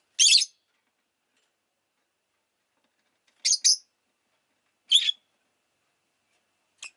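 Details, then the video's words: Sharp, high chirps of a rosy-faced lovebird come in spaced bursts: one, then a quick double, another single, and a brief final peep, with silence between. "Lovebird Chirping Sounds"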